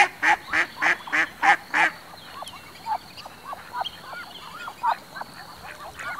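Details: Ducks with ducklings: a rapid burst of six loud, evenly repeated nasal quacks, followed by a steady chorus of soft, curving peeps from the ducklings with occasional quieter quacks.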